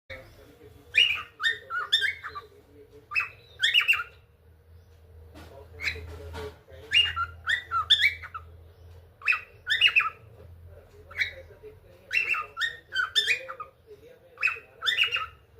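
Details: Cockatiel (Nymphicus hollandicus), song.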